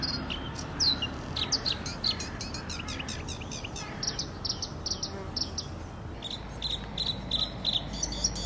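A red-spotted bluethroat sings a fast, varied run of high, ringing chirps, clicks and buzzy notes with a steady background hiss.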